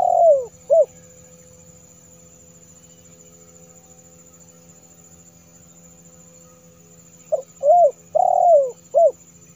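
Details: Spotted dove lure call for attracting wild doves: mellow coos open the clip, then a long quiet pause, then another phrase of short notes and a longer falling coo near the end.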